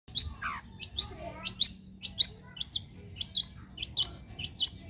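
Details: Young wild long-tailed shrike singing a string of short, sharp chirps near one pitch, roughly two per second, with one lower downslurred note early on; faint low background rumble.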